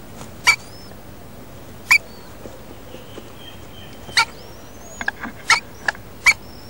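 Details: Wild rainbow lorikeet pair at a nest in a roof space, the male feeding the female while she incubates eggs: irregular loud harsh squawks, quick clicks and thin, high, wavering whistles.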